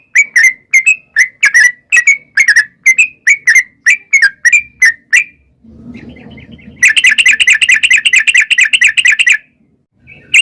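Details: Sooty-headed bulbul in extended rapid song, intended to make wild birds answer. Evenly spaced bubbly whistles for five seconds, a low rumbling noise, then a fast, unbroken stream of chattering notes before it stops.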